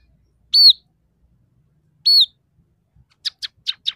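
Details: Singing scaly-breasted munia whose song borrows tree sparrow, red siskin and canary phrases: two separate loud high whistled notes about one and a half seconds apart, followed by four short sharp clicking chips.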